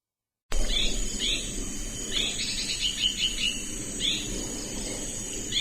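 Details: Hairy-backed Bulbul from Thailand. Short, high, chirpy notes come in quick bursts, some doubled or trilled, after a brief silent start, over steady insect-like hiss and low rumble.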